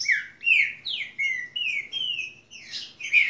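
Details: A saffron finch gives a short run of clear, downslurred whistles, each note sliding down in pitch, repeated about three times a second, with a brief buzzy flourish near the end.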